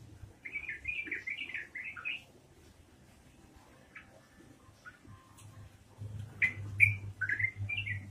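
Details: Yellow-vented bulbul giving gacor ropelan song: a bubbly phrase of rolling, warbled notes, a quiet gap with a few stray chirps, then another burst of liquid notes over a low hum.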